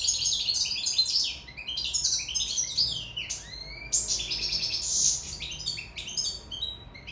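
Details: European goldfinch from Sicily in love, pouring out a dense, high twittering song of chirps, buzzy trills and a swooping downward slide, with barely a break; steady faint hum behind.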